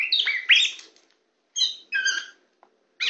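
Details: Tame Oriental magpie-robin (kacer poci) singing on a hand: a loud burst of mixed scratchy and whistled notes, a silence, then two short chattering phrases and a faint tick.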